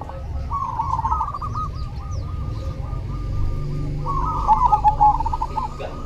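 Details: Zebra dove of the cemani variety singing actively: rhythmic trilled coos near one pitch, several doves overlapping throughout, with a steady low rumble underneath.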